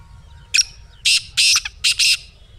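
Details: Black francolin giving one grating phrase, a short sharp note then four harsh rasping bursts in quick succession, played to make a pet francolin start calling.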